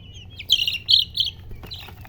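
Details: Hen chicken, locally called murgi, giving three short, high chirps in quick succession, each a bright peep followed by a brief pause, then a fainter fourth chirp near the end over a low background hum.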